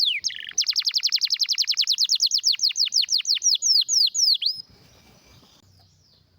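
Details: Canary with a rare, strong song. Brief buzzy notes lead into a steady run of about twenty rapid downward-sweeping whistles, followed by quiet with only faint low background noise.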